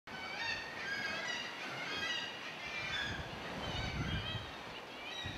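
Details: Common Guillemots (Common murre) give a crowded colony chorus of harsh, overlapping growling and moaning calls over wind and sea; these are the first arrivals at Harp Rock on Lunga, heralding the start of the summer colony.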